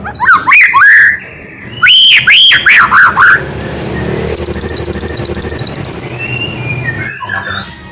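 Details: White-rumped shama singing energetically, a song meant to prompt idle shamas to answer: loud swooping whistled phrases, then a fast, even, buzzy high trill lasting about two seconds, with a low background rumble.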